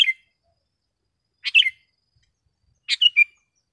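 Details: Sooty-headed bulbul singing strongly, a recording meant to tutor caged bulbuls and attract wild ones: sharp clipped phrases of two or three bright notes falling to a short whistle, repeated roughly every one and a half seconds.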